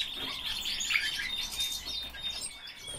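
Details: Pet common starling performing live indoors: dense rattling chatter and squeaky chirps mixed with a high, steady whistled note running through.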